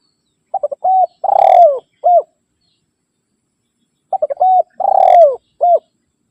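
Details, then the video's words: Tekukur, the spotted dove, giving its rival-challenging call used for luring wild birds: two identical phrases about four seconds apart, each of quick stuttered coos, a steady coo, a throbbing downward-sliding note and a final short coo. "Suara Burung Tekukur Memanggil Lawan"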